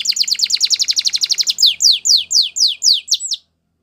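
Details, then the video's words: Belgian canary delivering a quick run of high repeated chips, then about eight slower, loud downslurred whistles before falling silent. "Your Canary Will Sing Immediately | Belgian Canary Song"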